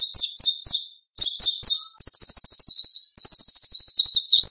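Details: White-rumped shama singing a filled-in competition repertoire: high buzzy trills broken by brief pauses, then long rapid rattling trills at a steady high pitch with a final upward flick.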